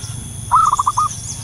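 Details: Wild local zebra dove giving a lure call: a single brisk burst of five short, clear coos at even pitch, in a quiet rural setting.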